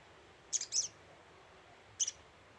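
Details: Scarlet-headed flowerpecker lure call with a quick double tick, a softer third chip, then a single high sharp tick a second later.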